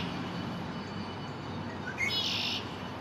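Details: Young male Red-winged Blackbird moving from perch to perch in a downtown backyard on May 1, 2024, singing to stake his territory: short thin opening notes lead into a single coarse buzzy trill, against a continuous low rumble.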